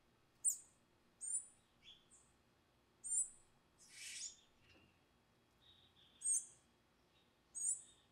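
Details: Palm Tanager (Thraupis palmarum) nestlings in Amapá, Amazon, Brazil, being fed by a parent, give thin, very high squeaky begging notes in short bursts about every second, with a louder hissy burst midway.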